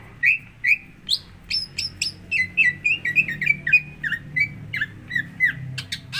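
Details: Used to get another greater green leafbird to sing, this leafbird song runs as steady whistled notes, then a lively stream of sharp chirps and downward-slurred whistles about three per second, with a soft low background hum.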